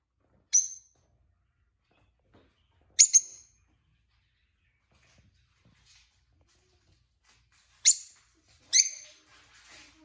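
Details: Pet peach-faced lovebird from a new pair: four clipped, shrill high chirps, two early and two close together near the end, separated by long silences.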